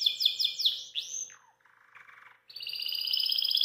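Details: Belgian canary singing after a meal of kale, out of its cage: rapid descending high whistled notes, a sliding downward note, a lower buzzy rattle, then a sustained high rolling trill.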